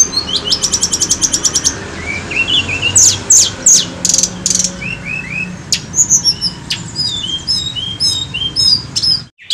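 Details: Sunda robin singing vigorously on a lure track: a rapid buzzy trill, then short harsh bursts and a long jumble of high sweeping whistles and clipped chirps, cut off abruptly at the end.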